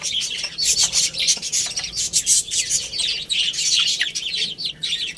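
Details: Baby chickens playing and eating, an unbroken, busy chorus of shrill overlapping chirps from many chicks, with rustling and clicking underneath.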